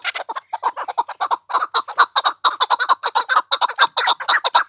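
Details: Pamir chukar calling: repeated hoarse chuck notes, two or three per second, harsh and mid-pitched, in a steady stuttering series with brief gaps.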